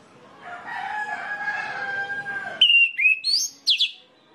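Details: Orange-headed thrush lure song for getting other birds of its kind singing: a rooster-like drawn-out call in the background first, then a short phrase of clear slurred whistles and high downward sweeps.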